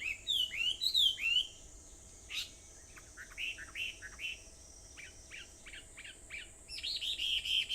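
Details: Wild birds calling on Aobayama, Sendai, Japan, at 4:30 in the morning on 21 July 2014: bright, varied chirps and sweeping whistled notes, several quick rising chip series in short bursts, with a faint steady high insect-like hiss behind.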